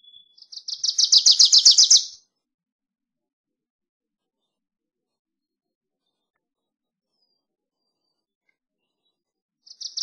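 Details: Wilson's warbler delivering one loud, fast chattering trill of many high chips that grows stronger before stopping, followed by long silence and the start of another trill at the very end.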